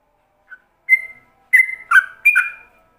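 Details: Tutor song in the ropelan style from a yellow-vented bulbul, for other bulbuls to learn: a small opening chirp, a long level whistle, then three bubbly warbled phrases close together.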